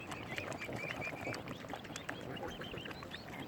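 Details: Mute swan cygnets at Kinnego Bay, Oxford Island Nature Reserve, on Lough Neagh, County Armagh, Northern Ireland, give thin, high peeping whistles, several short notes in quick succession, over a steady murmur of wind and water.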